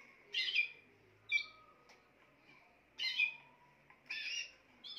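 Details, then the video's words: Singing Spanish timbrado canary gives dense, rattling, metallic bursts roughly every one to two seconds, interspersed with thin sustained tones, over a low background hiss. "chant des oiseaux timbrado espagnol"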